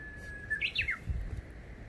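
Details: Spring song of a Japanese bush warbler, recorded 17 April 2020 in Ashiya, Fukuoka, Japan: a held clear whistle leading into three rapid, high, downward-slurred notes, with low rumbling noise underneath.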